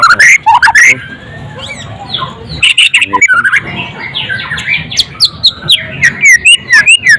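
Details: Loud, energetic song of a white-rumped shama: buzzy rattles open, then a busy run of slurred whistles and clipped chirps repeated in quick succession toward the end.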